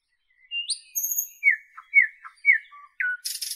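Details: A nightingale of northern Europe sings a rising whistle, long pure high notes, then several rich downslurred notes repeated about every half second, ending in a burst of harsh buzz.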